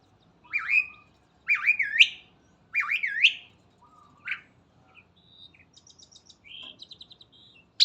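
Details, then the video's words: Morning song from a starling: three looping rising whistled phrases, a flat low whistle, then a rapid stuttering series of short high notes and a sharp ending note. "Burung Jalak Gacor dipagi Hari"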